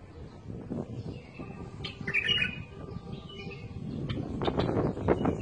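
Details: A bulbul sings one brief, liquid, slurred phrase a little after two seconds, against continuous low rumbling and clicking background noise.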